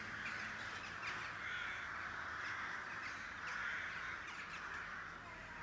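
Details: Crows of a colony over city roofs near Blücherplatz, northwest Kiel, Schleswig-Holstein; dense, continuous raucous cawing from many birds, peaking in waves, with faint low background rumble.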